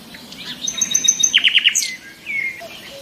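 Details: Nightingale singing: a thin high whistled phrase, then four loud sharp descending notes in quick succession, a short upslurred flourish and a brief slurred whistle.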